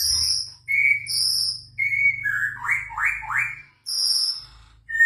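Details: White-rumped shama singing to provoke other birds to answer: long clear high whistles alternating with lower whistled notes and a run of quick rising slurred phrases, separated by short pauses, with quiet low background hum.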